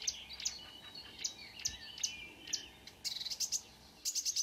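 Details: Marsh warbler in early-morning June song at Kråkstad, Norway: chattering phrases and high sharp notes, then a fast buzzy rattling burst near the end, continuous and varied.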